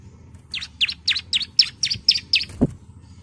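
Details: Female bar-winged prinia calls the male with eight high, sharp, downslurred chirps in a steady series about four per second, followed by a single low knock and a faint background hum.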